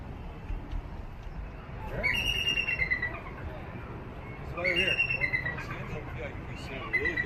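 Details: Captive female bald eagle at Santa Barbara Zoo, hatched on Santa Catalina Island in 2010 and kept after a left-wing injury from a car collision. She gives two bursts of high, thin, piping chatter with rapid stuttering notes, over a low background murmur.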